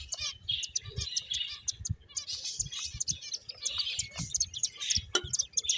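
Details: Playing finches fill the air with quick, high-pitched twitters and sharp chirps, many birds calling at once over light background bumps.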